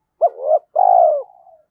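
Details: Decoy spotted dove, used to provoke wild doves into cooing quickly, giving a two-part phrase: a short rising hooted note, a brief pause, then a long, steady, mellow coo that trails off softly. The background is quiet.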